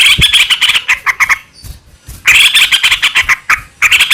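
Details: Sooty-headed bulbul in lively, long rapid-fire song used as a lure to get other bulbuls singing and answering; dense bursts of bubbly, chattering notes around two to four kilohertz in two loud runs separated by a short quiet gap.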